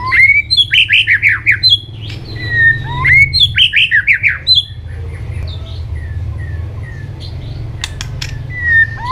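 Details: White-rumped shama in a varied training song: quick repeated phrases of slurred whistles and chirps, then a pause with scattered soft whistles and clicks over a steady low hum.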